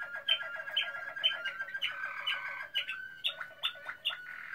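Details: Waterslager canary, Malinois breed, recorded in 2016; a fast series of chopped, gurgling notes repeated about twice a second, with deep water-like rolls and brighter clipped accents.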